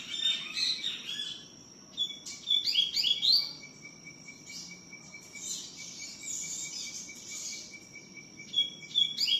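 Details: Double-collared seedeater singing a lot in the tui tiu style: repeated fast phrases of rising whistled slurs and buzzy notes nearly throughout, over a constant high tone and a bead-like pulsing trill.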